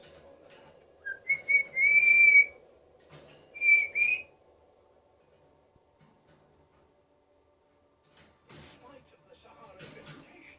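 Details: Pet African grey parrot in America whistling indoors: two clear, steady mid-pitched whistles, each about a second long, the second shorter, followed by quiet room sounds and a few soft clicks and rustles.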